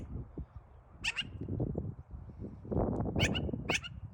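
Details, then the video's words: A magpie gives a few harsh, rasping chatters in short bursts about two seconds apart, over steady low rumbling background noise. "This magpie was making some interesting noises!"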